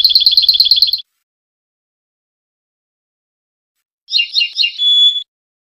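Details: A Tunisian goldfinch gives a rapid, even trill of about a dozen tinkling notes. After a pause of roughly three seconds comes a brief liquid twitter that ends in a sustained thin whistle.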